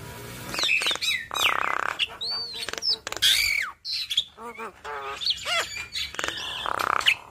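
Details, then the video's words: A Javan myna, yellow-eyed, singing from morning to night and unloading its borrowed phrases: rough squawks, buzzy rasps, clipped whistles and wavering trills tumbling together, with one short gap. "Jalak Kebo Mata Kuning Rajin Bunyi Bongkar Isian Ngoceh Dari Pagi Sampai Malam"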